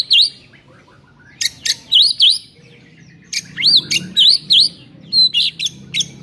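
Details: White-rumped shama singing, meant to provoke a sluggish bird into song: high, sweet whistles that dip and rise sharply, mixed with short sharp clicks and pauses between phrases, low hum behind.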